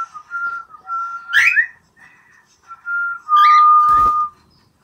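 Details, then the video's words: Pet cockatiels listening to whistling and playing happily: steady, level whistled notes held about a second each, broken by two short shrill, harsh chirps, indoors and otherwise quiet. "玄凤鹦鹉 听口哨 玩得很开心!"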